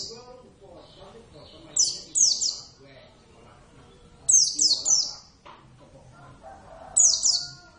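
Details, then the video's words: Pet Oriental white-eye, Javan subspecies javanus, singing vigorously: three bursts of two or three very high, downward-slurred chirps every two and a half seconds, with faint lower murmuring between. "plecit gacor"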